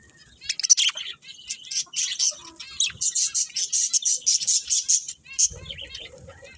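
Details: Budgies chattering in quick, high, rasping chirps repeated in a steady run, several notes per second, then fading into softer warbles with low knocking at the end.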